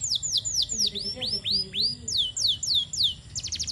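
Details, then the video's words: Canary song used as a training master, recorded by a garden: loud swooping notes falling then rising in pitch, some curving upward, ending with a short burst of rapid clicks. Faint low warbles underneath. "kenari gacor"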